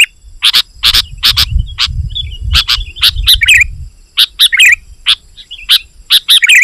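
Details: Sooty-headed bulbul in lively, rival-pressuring song, used to lure wild bulbuls: sharp, high chirps repeated in quick irregular bursts, with short warbled phrases between them and a low rumble beneath.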